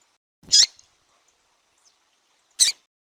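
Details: Two brief, high, sharp chirps roughly two seconds apart from a female double-collared seedeater calling to rouse a male, Brazil, with near silence between the notes.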